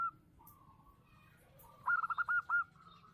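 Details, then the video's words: Local zebra dove with a big voice singing actively: a faint drawn-out whistle-like tone, then one loud phrase of five or six quick staccato coos ending on a longer note. "perkutut lokal gacor suara besar"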